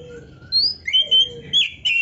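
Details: Short burst from a vigorously singing Oriental magpie-robin, recorded as tutor song for training songbirds: a few clear whistles, some level, some rising, ending in a harsher note.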